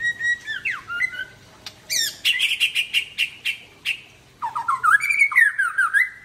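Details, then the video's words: White-rumped shama of the Aceh type, bathed at midday, pouring out a rich song: a clear whistle, a dropping slur, a fast run of repeated sharp notes, then a warbled rising and falling phrase. "Murai Aceh # Mandi Siang muntah isian"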